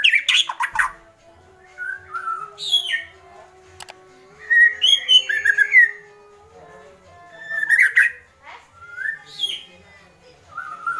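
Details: White-rumped shama giving agitated 'kretekan' calls. Clear whistled phrases, some falling, some rising, alternate with sharp clicky rattles and pauses, over a faint steady low tone.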